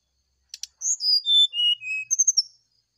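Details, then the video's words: A brown-chested jungle flycatcher sings in the morning to provoke an answer: two sharp clicks, then clear whistled notes stepping down in pitch, ending with a quick high warbled flourish. "PANCINGAB SRDC NYULING DI PAGI HARI"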